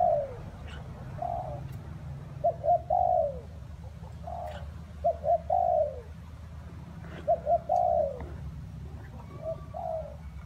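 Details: Spotted dove cooing in rainy, windy weather. Soft, low, hollow coos come in phrases of two or three short notes and a longer drawn-out note, repeated roughly every two to three seconds over a steady low rumble of wind.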